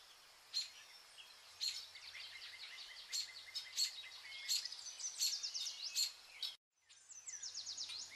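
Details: Zebra finches, shown as entertainment for cats. Sharp, bright beeping notes repeat roughly every half second to second over a steady bed of fainter twittering from several birds. There is a brief gap of silence, then chattering resumes.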